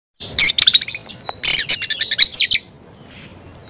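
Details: An Oriental magpie-robin sings loudly: a burst of sharp, high whistles and rapid chattering notes, with one long thin whistle, then a pause and a faint final note.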